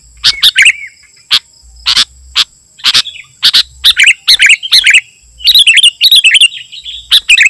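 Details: Sooty-headed bulbul recording used to lure wild bulbuls and to tutor caged birds: short bubbly, chirpy phrases in quick bursts, mixed with sharp clicking snaps and a faint steady high hiss.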